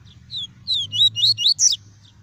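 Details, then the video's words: Double-collared seedeater performing the 'tuí tuí' song style, meant to stimulate a kept bird and tutor young: a single phrase of six or seven sharp, high, rising and falling slurred whistles, last notes highest, over a soft low hum. "PAPA CAPIM CANTANDO MUITO! TUÍ TUÍ PURO - ESQUENTE SEU PAPA CAPIM EM 5 MINUTOS!"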